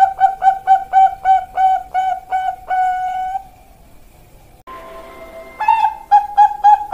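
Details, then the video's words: Young Bangkok-strain zebra dove (perkutut) singing: a fast run of about a dozen clear, hollow cooing notes on one pitch, evenly spaced, then a short pause with faint tones before the steady beat resumes. "Pancingan Perkutut Bangkok Piyik Kualitas Super"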